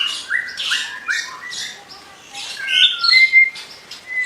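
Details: White-rumped shama in active song: a few clear whistled notes at steady pitch alternate with short chips, ending in bright upward-slurred whistles.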